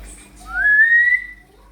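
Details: African grey parrot giving one clear, smooth whistle that slides gently upward and then fades, lasting about a second, in a quiet room.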